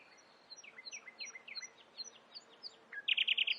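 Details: Nightingale, said to imitate other species, repeating high twisting notes about three per second over steady background noise, then bursting into a fast series of loud, very high, harsh notes.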